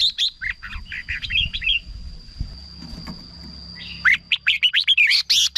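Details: Red-whiskered bulbul song used to excite birds or act as a decoy: quick bubbly whistled phrases, a quiet gap with low rumble, then a brisk run of sharp rising and falling warbles, over a constant thin high tone.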